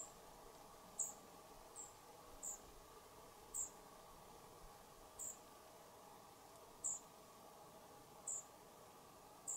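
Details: European pied flycatcher fledglings quitting the nest box, heard as faint, high, clipped call notes roughly once a second against a quiet, steady background.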